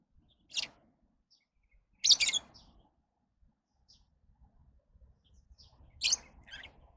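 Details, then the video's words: Lovebird calling with sharp, shrill chirps spaced one to four seconds apart, some doubled, plus faint high twitters over a low rumbling background. "Love birds Sounds"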